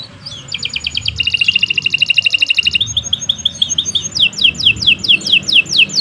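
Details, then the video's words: Canary singing a long masteran song: a fast rattling trill, a steady whistle, then repeated sharp falling notes over light background hiss. "Kicau Burung Kenari 107 II GACOR PANJANG Cocok untuk Masteran"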